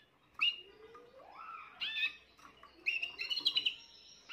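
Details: Juvenile Spanish Timbrado canary from this year's brood, 14 June 2023, in its early song: a sharp chirp, a long smoothly rising slurred note, then a quick burst of high rattling trills.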